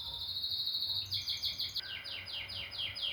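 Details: Canary song with a high whistled tone breaking into quick chattering pulses, then regularly repeated descending sweeps about every quarter second.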